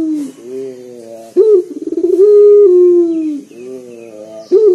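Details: Loud, bass-rich coos of a local collared dove used to draw other birds into song: a quick rising hiccup, a burst of rapid pulses, then a drawn-out level hum sinking at the end, soft mumbling before and after.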